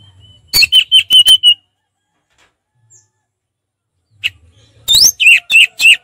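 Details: Orange-headed thrush giving relaxed ngeplong song: a quick series of steady whistled notes, a pause, then looping, rising and falling clear whistles.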